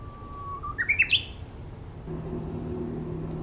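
A Japanese bush warbler sings one phrase: a long, steady low whistle that swells, then a quick rising flourish of sharp notes. A low engine drone follows.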